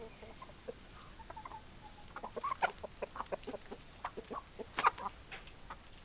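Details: Hens clucking: quiet at first, then a string of short, sharp, irregularly spaced clucks growing louder toward the end, with a steady faint background noise.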